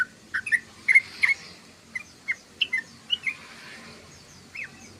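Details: Yellow-vented bulbul giving spaced, clear chirps and short slurred whistles, some paired, arriving every half second or so before tapering to a single late note.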